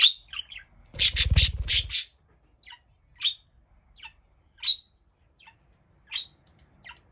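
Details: Single pet budgerigar crying loudly while alone, calming somewhat once filming began: a loud harsh buzzy burst, then short sharp high chirps repeated irregularly, roughly every half second to second, with quiet gaps.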